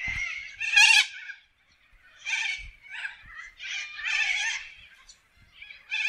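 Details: Wild corellas in Australian forest: loud harsh screeches, one piercing and high at the start, followed by a run of rasping, squabbling calls from several birds.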